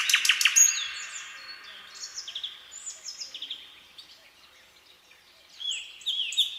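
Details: Nightingale singing on a midsummer night: a quick triple rattle at the start, then soft varied warbled phrases of slurred whistles, rising again into louder notes at the end.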